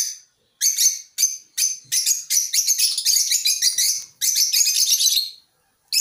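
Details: Shrill, buzzy chattering from a colony of African lovebirds, short sharp notes quickening into a near-continuous run of squeaky, trilled calls before stopping abruptly.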